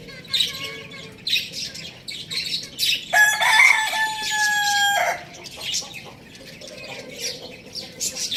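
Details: A rooster gives one loud, steady crow of about two seconds, flat-pitched with rich harmonics and an abrupt ending, with many small birds chirping before and after.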